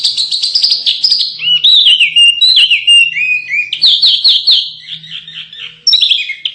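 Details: Canary song recorded as masteran tutor audio for contest birds: rapid varied chirps and sliding whistled notes, mostly high-pitched, with descending swoops in the middle and a bright burst near the end.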